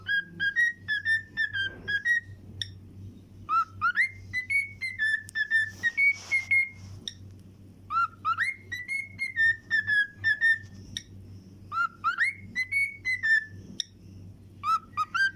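A cockatiel whistles a tune of clear, rising and falling notes in quick phrases.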